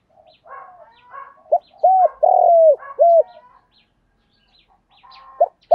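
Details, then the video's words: Spotted dove cooing, used by bird keepers to excite male and female doves into calling during daily training. Deep, hooting coos come in a run, including one long drawn-out note, while fainter chirps from other birds sound in the background. "cu gay thuc gay goi cu dat gay"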